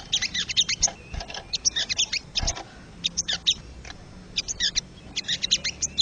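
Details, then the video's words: Wild crested jay chattering, used to spur caged birds. Dense runs of high, scratchy clicks and chips in irregular bunches, with a couple of low thumps and steady background noise. "MASTERAN BURUNG SOGON SUARA ASLI SOGON LIAR"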